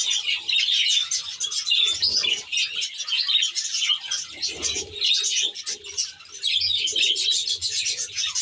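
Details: Large group of budgerigars housed in an aviary, chattering in waves: bursts of high, scratchy twitters rising and falling every second or two, with faint lower notes beneath.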